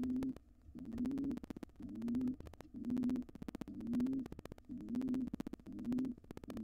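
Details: Inside a nest box, a wild pigeon of an intruding pair trying to claim it after the resident pair's young fledged gives steady low coos, about one per second, separated by crisp clicks.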